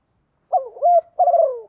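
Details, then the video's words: Captive female spotted dove, used as a decoy, cooing in the morning to excite males: two short husky coos followed by a longer, slightly falling coo, clear and close against silence. "tieng chim cu mai kích trống buổi sáng"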